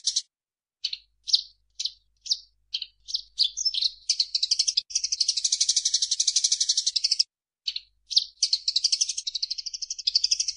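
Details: Eurasian tree sparrow, training recording: opens with spaced single high chirps that quicken and merge into a sustained, rapid buzzy chattering trill, interrupted once by a brief pause and a few more chirps.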